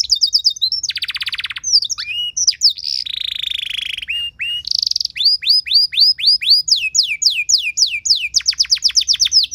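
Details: Canary singing a tutor song meant to provoke other canaries into singing: rapid high trills, a dense buzzing rattle, a long harsh buzzy note, scattered rising slurs, then a long fast series of downward-swept whistled notes.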